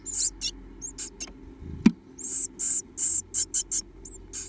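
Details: Japanese tit nestlings, two left in a nest box, begging for food with open mouths: short high hissing cheeps in clusters, broken by a single sharp knock midway.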